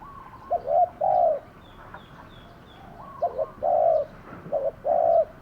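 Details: Spotted dove kept as a lure to call in wild doves; three phrases of low cooing, clipped notes leading into a sustained coo, with a faint high whistle and soft background noise.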